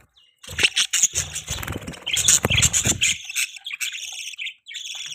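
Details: Budgerigar mating call: quick high chirps and warbled chatter, overlaid in the first half by low rumbling, fluttery noise, then continuing as thinner sustained twittering.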